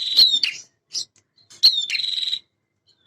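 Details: Male prinia in lively song: two phrases, each a sharp high note followed by a dry, pulsing buzz, with a short chip between them.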